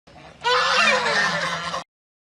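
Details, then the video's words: White domestic ducks kept as pets: one loud, nasal, harmonic honk lasting just over a second, slightly falling in pitch, preceded by a softer short note. "sweet sound of duck"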